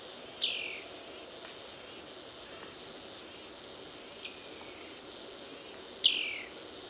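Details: Ocellated poorwill calling at Brusque: two short, sharp notes that slide steeply downward, about five and a half seconds apart, over a constant high insect drone and hiss.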